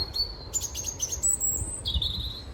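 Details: A European robin, hidden in a bush and singing its heart out on a winter afternoon near sunset, gives a phrase of thin, high whistled notes that jump abruptly in pitch, with a low rumble of background noise.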